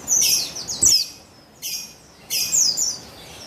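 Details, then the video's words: A female buxtoni white-eye, Javan white-eye, called on 3/8/21 to stimulate males to sing: three loud bursts of sharp, high twittering notes that slide downward, separated by brief quiet gaps. "Buxtoni Betina Memancing Bunyi Burung Pleci Bahan Agar Bustomi Gacor Ngalas"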